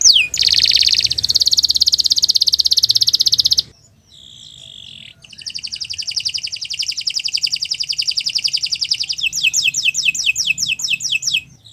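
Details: Canary song meant for training birds: a loud buzzing trill, a short pause with a soft held note, then another long rapid trill ending in quick falling whistled notes.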